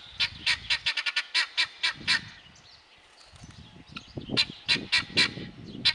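A male guineafowl gives rapid, harsh, grating cackles, several per second, in two bursts separated by a brief pause, over low background rumble.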